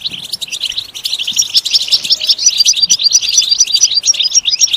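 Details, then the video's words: European goldfinch song for stimulating singing: a rapid, unbroken stream of high twittering and tinkling notes, growing louder and brighter toward the end, with faint low knocks underneath. "Comprehensive guide to stimulating and singing the goldfinch"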